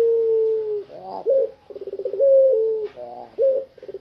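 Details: Fully tame puter pelung dove, singing busily out of its cage, holds a long, even, low coo, then a brief upward swoop and a rapid rolling series of pulsed coos ending in another sustained note.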